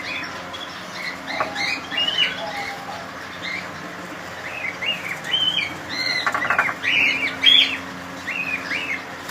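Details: Cockatiels in a colony, repeated short rising whistled chirps and squawks from several birds, with brief bursts of wing flapping midway.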